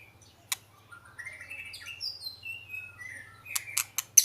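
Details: Oriental magpie-robin singing: sparse, clear whistled notes sliding and stepping between phrases, with sharp clicks near the start and a burst of high notes at the end over a faint low hum.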